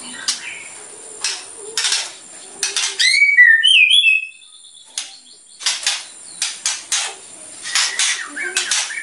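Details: White-rumped shama singing bursts said to provoke other birds: a brief run of bright, rising and falling whistled notes set between loud, sharp clicking and rattling noises.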